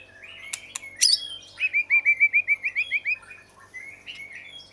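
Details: Oriental magpie-robin singing a rapid run of about a dozen clear, evenly spaced whistled notes, preceded by a few sharp chirps and followed by softer warbled notes.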